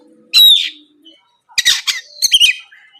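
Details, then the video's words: Oriental magpie-robin used as a morning lure for rivals, giving three separate bursts: a loud harsh whistled note, then scratchy chattering clusters with faint low tones between. "PANCINGAN SUARA BURUNG KACER GACOR NGEPLONG PAGI DIJAMIN BIKIN LAWAN LANGSUNG IKUT NYAUT BUNYI GACOR"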